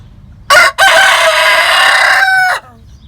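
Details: Rooster crowing very loudly at close range: a short, sharp opening note, a brief break, then a long, harsh, sustained cry that holds steady before cutting off, in a quiet setting.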